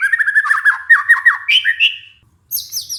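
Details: Lure song of a white-rumped shama, for stressed birds that have gone quiet: a fast run of rich, varied whistled notes, then higher clear whistles, a brief silence, and a final series of very high, thin notes.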